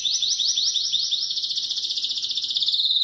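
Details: Spanish canary singing loudly and intensely without pause: quick, high, metallic notes repeated several times a second, running into a continuous rolling trill.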